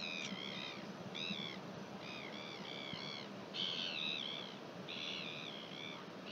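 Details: New Zealand recording of Northern royal albatross, 1 June 2021: repeated bursts of bright, harmonic, wavering calls in quick groups of two or three, some longer and more drawn out, above a constant rushing background noise.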